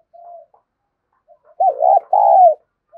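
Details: Spotted dove giving a lure coo: a soft short coo first, then after a pause a loud, mellow two-note phrase, the first note bowed and wavering and the second drawn out and falling.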